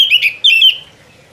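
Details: Oriental magpie-robin giving two loud, rich whistled notes, the second drawn out and fading away.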